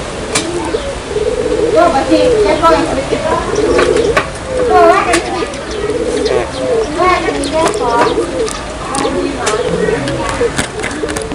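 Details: Barbary dove lure call used to attract doves: rolling, trilled coos near mid pitch repeated in bursts every second or so, with people talking loudly over them.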